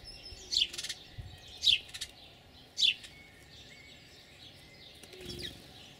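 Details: Sparrows at a bird bath: three loud, sharp, high chirps sweeping downward, roughly a second apart, followed by faint thin whistled tones and a soft rustle near the end over quiet background noise.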